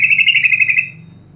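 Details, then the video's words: A single sooty-headed bulbul burst, used to lure birds into singing: a rapid, buzzy rattle of evenly spaced notes lasting under a second, then fading. "pancingan trucuk untuk trucuk pemula"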